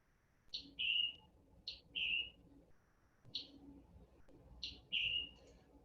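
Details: Scarlet tanager in a Vermont forest gives its diagnostic two-part chip-burr call, a sharp high chip then a lower burry trill, four times over six seconds. It is apparently an alarm call given when something nearby makes the bird uneasy.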